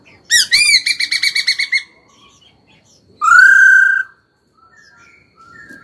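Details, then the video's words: Laughingthrush in song, a caged bird being trained: a quick rattling series of about a dozen repeated chirps, then a long loud rising whistle held nearly a second, and faint softer notes after. "Khướu hót cực hay, kích bổi hót ngay"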